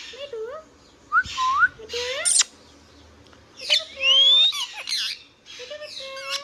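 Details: Pet Indian ringneck parrot talking: rising and falling whistled notes, short harsh squawks and bright upward-sweeping tones in bursts separated by brief quiet gaps.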